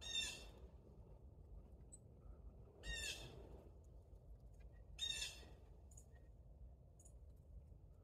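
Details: A black-capped chickadee, a small nonmigratory North American songbird of deciduous and mixed forests, gives three harsh, buzzy call bursts, each about half a second, spaced two to three seconds apart over a steady low rumble.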